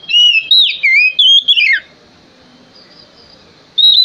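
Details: Male Oriental magpie-robin song meant to provoke other birds to sing: loud, clear whistled phrases sliding up and down, several quick notes in under two seconds, then a pause before another whistle begins.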